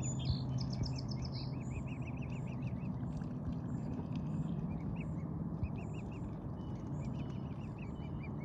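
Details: Mute swan family with six-week-old cygnets eating seeds, the cob having defended them from a snapping turtle; series of short, arched, high peeps repeated rapidly in bursts, over a heavy low rumble of wind or water.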